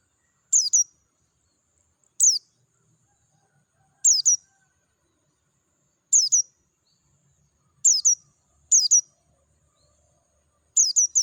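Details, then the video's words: Oriental white-eye of the Dakun kind, wild and in natural surroundings, singing clearly: high, thin descending chirps in pairs, repeated about every two seconds over a long, otherwise silent stretch. "PLECI DAKUN NGALAS SUARA JERNIH"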